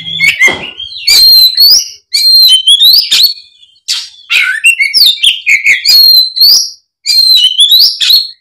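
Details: Oriental magpie-robin fired up to fight: dense, loud, continuous song of high whistles, upward slurs and quick trills mixed with scratchy notes, in several long phrases separated by brief silences.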